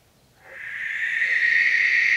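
A Barn Owl gives a long, harsh, hissing screech that swells in after a brief pause and holds steady for nearly two seconds. No other sounds stand out.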